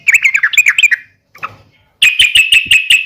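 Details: Yellow-vented bulbul uplik tarung fighting sound, intended to trigger other bulbuls to reply. A fast run of bright chirps, a short pause with one faint note, then a second run of sharp, evenly spaced notes.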